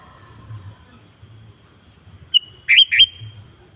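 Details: Sooty-headed bulbul in full song, played to get wild bulbuls singing along. After a quiet start comes a single phrase: a brief piercing note and a pair of quick, rich, swooping whistles.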